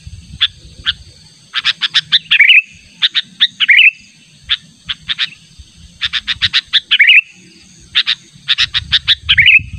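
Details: Sooty-headed bulbul giving an insistent natural call to summon a rival for luring: quick bursts of sharp chips each closing with a short slurred warble, over a noticeable low rumbling background.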